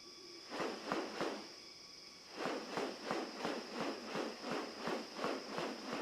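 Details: A displaying male magnificent riflebird opens and closes his wings while moving his head side to side, making loud, dry rustling bursts about three a second, directed at a female, with a steady high insect hum behind.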